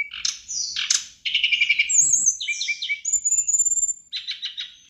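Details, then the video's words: A vocal sirdadu bird gives a lively, high-pitched medley of chattering bursts, thin sliding whistles and quick buzzy trills, almost without pause; the recording is meant to make other sirdadu birds answer and compete. "Masteran burung srdc gacor bikin srdc lain nyaut narung"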